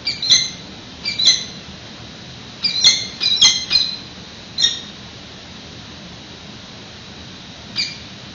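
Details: Peregrines at a San Francisco webcam nest, 25 March 2018, as prey is delivered near an unhatched egg: scattered harsh squawking notes in small groups, then a long quiet gap before a final single call.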